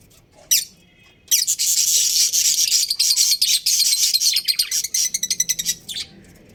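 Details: Budgerigars, a breeding pair in a colony. A single sharp chirp comes first, then after a pause a dense burst of high, scratchy warbling and chattering. It breaks into quick rapid chirps before stopping.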